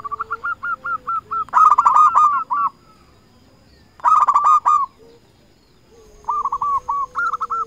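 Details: Local zebra dove luring rivals, in a loud, clear recording. Rows of quick hooked coos alternate with bursts of rapid stuttering notes, repeating about every two seconds. A low steady tone runs underneath.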